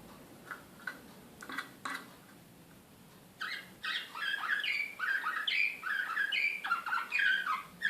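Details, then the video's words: Serbian slavujar canary recorded in Belgrade, 2016. Scattered faint clicks and soft notes come first, then after about three seconds a loud, rapid run of chirped, falling notes. "SLAVUJAR SRPSKI BEOGRAD 2016"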